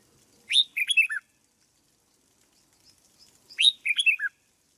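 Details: Red-whiskered bulbul in a cage, trained as a decoy bird, sings two loud bright phrases about three seconds apart, each a sharp high note followed by a quick run of falling whistles, with soft chirps in between.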